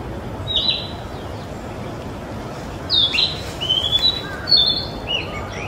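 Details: A young, still brownish Narcissus flycatcher in song at Mizumoto Park, 27 April 2023, in a dark spot, gives a short high note, then a lively phrase of clear, sliding whistles over a steady background hiss.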